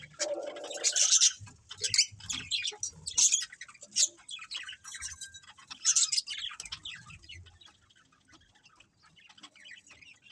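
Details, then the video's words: Budgerigars in a colony chirp together in bright, high, scratchy bursts every second or so, the chatter thinning and quieting toward the end. "Cute Colourful Budgies Chirping Sounds | Budgies Colony"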